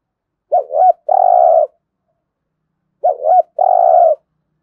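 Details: Spotted dove cooing 'thúc gù' style for daily decoy-bird training: two identical phrases about two and a half seconds apart, each a quavering double note followed by a long flat coo, with no other sounds.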